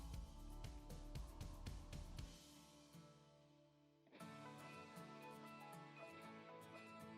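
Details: Instrumental music with strummed guitar and drums, loud at first, dropping away near three seconds, then a sustained chord-rich passage returns after four seconds; no animal voices.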